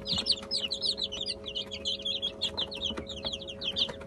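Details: A brood of chicken chicks feeds on egg-and-bulgur mash with olive oil; rapid, high-pitched peeps pour out continuously from many birds at once, along with soft pecking taps and a low background hum.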